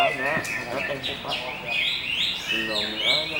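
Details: Greater green leafbird (cucak hijau) delivers bright, high whistled phrases, several notes sliding up and down in quick succession, against a persistent hissing background.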